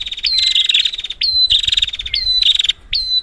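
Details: Prinia, a lure for prinias that have stopped singing. Nearly continuous high rattling trills are broken every second or so by abrupt upward flicks. Faint low rumble underneath.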